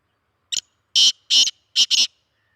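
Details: Sindhi speeder black francolin of the chakri wala type giving a harsh, grating call: a short sharp note, then four loud rasping bursts in quick succession, the last two nearly joined.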